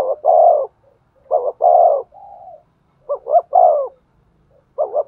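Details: Spotted dove cooing to stimulate a male: low hollow phrases of two quick rising notes followed by a long falling coo, with a soft steady hum between phrases and another double-note start at the end.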